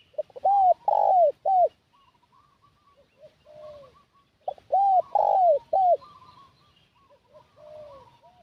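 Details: Spotted dove acting as a lure for wild doves, giving two loud three-note coo phrases about four seconds apart, softer coos trailing after each.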